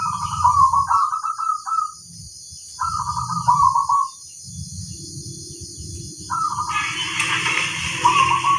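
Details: Lively local zebra dove song used as a master recording: rolling trilled coo phrases about a second long, repeated after pauses, with low rumbling noise and a burst of broad hiss near the end.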